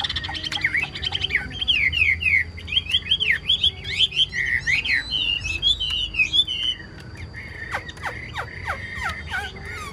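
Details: Caged Chinese hwamei kept as a songbird, singing strongly: a rapid run of loud, sweeping whistled notes that rise and fall, followed by sharp downward clicks and a sustained high tone, with low background hum.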